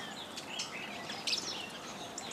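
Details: Fischer's lovebirds and yellow-collared hybrids feeding together at a lodge feeder near Lake Elementaita, Kenya. A busy, high-pitched chatter of short chirps runs throughout, with one louder squeak in the middle.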